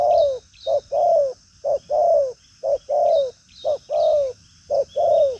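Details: Strong-cooing spotted dove in lively form: rhythmic, loud paired hoots, a clipped note then a longer slightly descending coo, repeating steadily about once per second over a faint insect hum.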